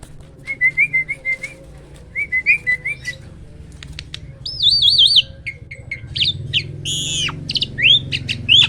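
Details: A hybrid myna sings loudly: a series of short quavering whistled phrases, then a wavering higher trill, followed by harsh chattering and sharp rising whistles.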